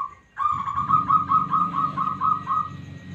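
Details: Smooth-voiced local zebra dove, its responsive song used as a lure: one brief note, then a long, even rolling series of about ten bubbling coos, over low rumbling background noise.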